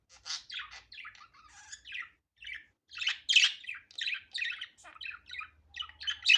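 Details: Budgerigar chattering naturally, unedited: steady stream of high chirps, squeaks and scratchy warbled notes, growing louder toward the end.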